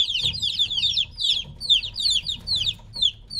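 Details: Young chickens about three weeks old, separated from their mother, peep insistently: clusters of high, falling chirps come in quick pulses roughly two or three per second.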